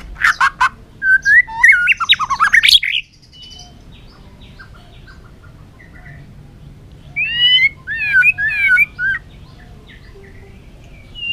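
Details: White-rumped shama training song of many forest voices: one burst of varied whistles and sharp notes, a long quiet gap, then a second burst of bright, rapidly slurred whistles.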